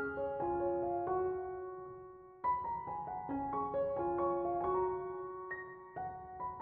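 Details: Gentle piano melody of stepped notes and chords with a short pause midway; no animal sound.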